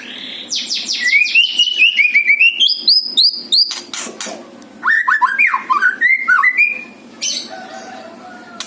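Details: White-rumped shama song from Bali, used as a lure: fast repeated ticking notes leading into strings of bright rising whistles and quick chattering trills, phrases broken by short pauses, with a low background hum.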